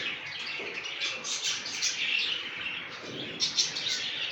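Young budgerigars give a dense, continuous stream of high, scratchy chirps and chatter.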